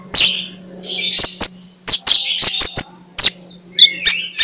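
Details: Oriental magpie-robin in full ngeplong song, used in the morning to coax idle magpie-robins to sing: bright, loud warbled phrases punctuated by sharp clicking notes, with a steady low electrical hum beneath.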